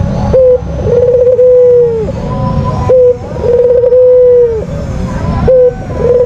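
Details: White Barbary dove kept as a songbird, lure call: a short clipped note, then a trilled onset sliding into a long, steady low coo that droops at the end, repeated about every two and a half seconds.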